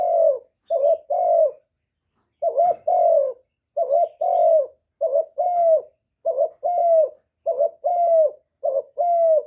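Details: Cooing spotted dove used as a decoy to attract wild doves, recorded directly with no background noise; mellow low coos in short clustered phrases of two or three notes, delivered steadily after one brief pause.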